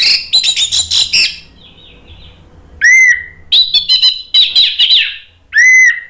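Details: Orange-headed thrush song: dense high chattering and twittering phrases, mixed with several loud, drawn-out whistles that dip in pitch. The whistles and chatter alternate in bursts separated by short pauses.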